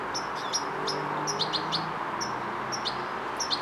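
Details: European goldfinch fledgling learning coordination, uttering scattered bright, high, clipped tweets, sometimes paired, amid a continuous low rushing noise.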